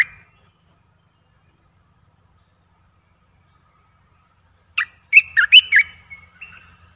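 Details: A few faint high ticks open this stretch from a caged streak-eared bulbul, newly added to a keeper's birds. Long silence follows, then a lively, liquid warbled phrase of quick up-and-down whistles trailing into a softer note.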